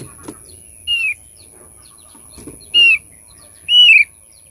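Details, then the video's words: Thick-billed white-eye used to lure birds: three separate short whistled notes, each sliding downward, spaced one to two seconds apart, with faint taps and a steady high tone behind. "pancing bunyi burung opior paruh tebal"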